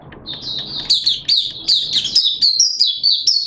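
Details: Malaysian Oriental white-eye hobby bird in open singing (buka sing): quiet start with low rumble, then quick high chirps and descending slurred twitters pouring out in a lively, irregular sequence.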